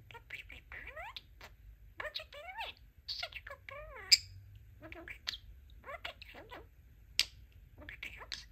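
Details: Talking pet budgerigar, male, practising newly learned phrases "Let's Rock" and "Let's Play"; a steady stream of raspy, warbling speech-like syllables in short bursts separated by brief pauses, with occasional sharp clicks.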